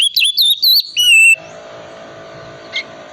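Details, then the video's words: Oriental magpie-robin ngriwik-style lure song for coaxing quiet birds into full song: a quick string of chirpy whistled notes ending in a longer level whistle, then a steady low hum with one faint chirp. "pancingan kacer tipe dingin ngriwik wiksar sangat cocok buat terapi kacer agar cepat bunyi dan gacor"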